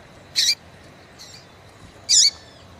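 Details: Double-collared Seedeater female calling to stimulate males: two loud, high chips with downward hooked tails about one and a half seconds apart, a faint softer note between, steady hiss behind.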